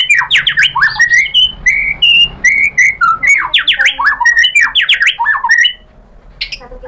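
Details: White-rumped shama song of loud, varied phrases: rapid zigzagging notes alternating with short clear whistles, ending in quiet.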